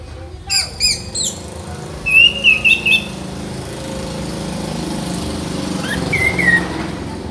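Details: Orange-headed thrush song used as tutor material, short clear whistled notes around the mid-high range in two bursts, then a drawn-out slurred whistle near the end, over steady engine-like hum and background noise.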